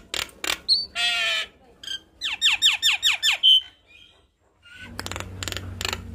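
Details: Javan myna in energetic gacor song, used as tutor song for young birds: harsh rasping bursts, a high whistle, then six quick downward-sweeping notes in a row, a sustained whistle, and a later noisy buzzing stretch.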